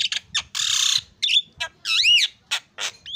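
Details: Javan myna in vigorous song: loud harsh rasping bursts alternate with short clicks and a bright looping whistle that rises and falls, plus a final rising whistled note, delivered in uneven quick phrases.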